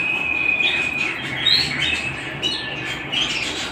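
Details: Canary singing at home: a sustained high trill held level, then short rising whistled phrases and brighter chirps, over a steady low electrical hum.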